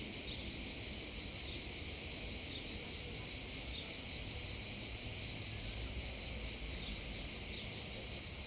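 Eurasian wryneck chicks give bursts of very high, rapid ticking begging calls over a steady, insect-like hiss that runs throughout.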